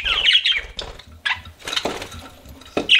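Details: Pet budgies give a quick warbled twitter, then scattered short chirps and a few rustling sounds over three seconds.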